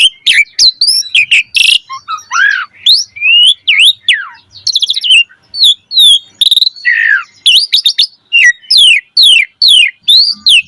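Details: Asian pied starling singing in the energetic 'gacor mompa' style with full variation, played to prompt other birds to sing: quick bursts of sweeping whistles, buzzy harmonic notes and sharp chirps follow each other in an uneven stream.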